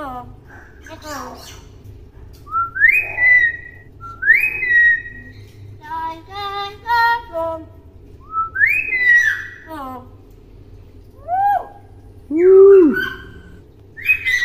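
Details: Tame young common hill myna, kept as a pet in Indonesia, talking clearly: varied whistled phrases, sliding notes near the upper-middle range and rapid stuttering speech-like bursts, with a steady low hum beneath throughout.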